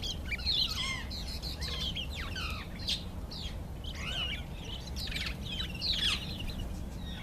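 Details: Karoo thrush in display aimed at females, giving a dense stream of brief twittering and downslurred notes, some sharp and clicky, repeated throughout without pause against a constant low rumble.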